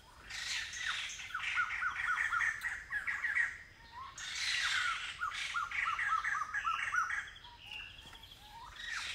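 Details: Migrant Blyth's paradise flycatcher in semi-evergreen forest near Kulen National Park, Cambodia, giving two loud bouts of harsh, grating rasps, each followed by quick runs of short downslurred notes, amid a steady forest insect drone.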